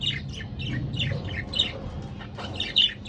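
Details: Brief stretch of a budgerigar pair's warbling: fast, buzzy chirps tumbling one after another, with low rumbling noise beneath.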